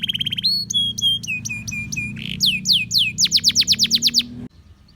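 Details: Canary in full song meant to prompt other canaries to sing: steady whistled notes, short repeated slurred phrases, a harsh burst, then quick descending chirps repeated about three per second, ending abruptly; a low hum runs beneath.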